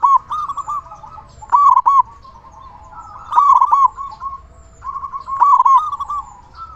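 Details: Big-voiced local zebra dove singing often, used as a lure for other zebra doves. Four clustered bursts of fast, bubbling coos over continuous quieter cooing.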